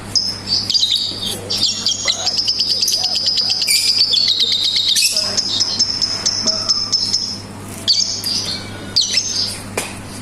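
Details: Lovebird song mixing ngetik ticking with ngekek chatter: long high buzzy trills broken by rapid clicking bursts and short sharp chirps, continuing for about seven seconds before choppier fragments, over a constant low hum.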